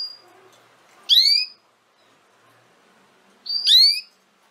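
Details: Canary call used to help young canaries learn their song: two loud upward-swooping notes with strong overtones, about two and a half seconds apart, separated by near silence.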